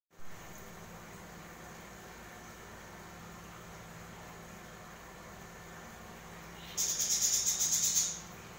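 Common myna chicks give a harsh, hissing, rapidly pulsed burst of about a dozen raspy notes lasting just over a second, over a steady high hum.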